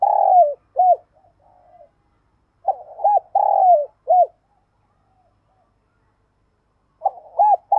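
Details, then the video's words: Decoy spotted dove calling to lure and provoke wild birds: phrases of deep, hollow, slightly falling coos, a long note followed by shorter ones, repeated twice with silent pauses between, clean background. "Chim Cu Gáy Mồi Cây Mới Nhất Chuẩn Kích Bổi"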